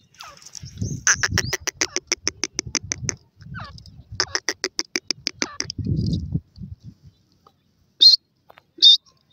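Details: Black francolin chicks in a forest setting: rapid series of thin, high peeping notes repeated in two runs, followed by a few isolated higher chirps, with soft low scuffling sounds.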